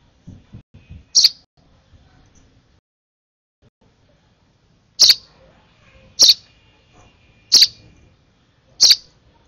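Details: Over-excited sparrow nestling begging during its last hand-feeding: one sharp, high chirp, a three-second pause, then four more loud chirps spaced about a second apart, with soft low rustling noises between them.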